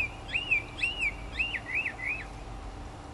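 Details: Northern mockingbird in Florida native plants, 2005, singing while preening: five arched whistled notes repeated about twice a second, each rising then falling, against faint steady hum.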